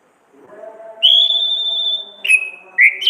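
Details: Orange-headed thrush singing in the ngeplong, gacor and ngriwik style, a masteran training recording: a low humming drone, then a long loud high whistle held steady for a second, followed by two shorter descending whistled notes.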